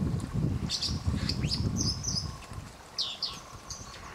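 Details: White-throated dippers fighting over territory on the Thin river at Warby, France: sharp, buzzy high calls in quick irregular bursts, with wing flutters, over a constant low rush of flowing water.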